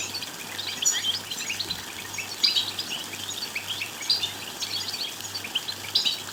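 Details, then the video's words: Song of a European goldfinch, aimed at prompting another goldfinch to sing: lively jumbled twittering with bright buzzy phrases every second or so, high and tinkling, with a steady low hum behind. "بتبتات لتحفيز الحسون على الغناء والتغريد بصوت قوي"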